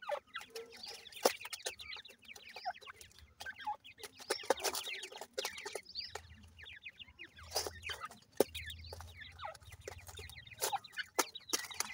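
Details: Group of young irani teetar (francolin) chicks kept in captivity, a dense chorus of rapid high peeps and short slurred chirps, with frequent sharp taps and low rumbling noise underneath.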